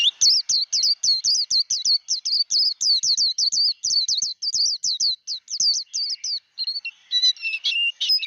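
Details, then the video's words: Japanese white-eye performing the 'líu đấu' fighting song for voice training: a dense, continuous volley of high, curling whistled notes, slightly slowing and turning scratchier and more varied toward the end. "Vành khuyên líu đấu. kích lửa vành khuyên líu đấu"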